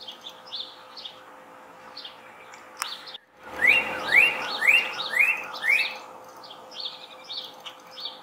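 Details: A male Northern Cardinal in Ohio on a sunny spring morning, 21 March 2021, gives five clear, rising slurred whistles, about two a second, over thin, high chips. Other birds respond to his calling from an unseen spot.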